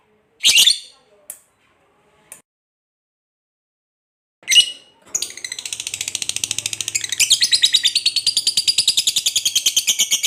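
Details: Fighter lovebird: a few isolated sharp chirps separated by silence, then a long high chattering trill of rapid, regular pulses starting midway and building in loudness to the end.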